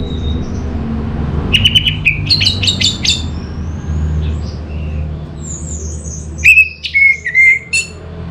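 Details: Orange-headed thrush singing a lure song, a dense cluster of sharp, varied whistled notes, then a pause and a second bright run of clear slurred whistles, with constant low rumbling noise beneath.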